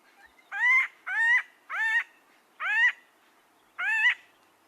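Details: An Acorn Woodpecker gives a very common call of five harsh, nasal, rising-and-falling notes, each about a third of a second long and spaced irregularly over four seconds, with no other sounds.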